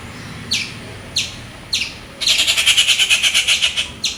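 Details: Rufous treepie in its natural habitat gives harsh, loud downslurred notes at about one per second, then a rapid grating rattle of a dozen notes, with a low hum underneath.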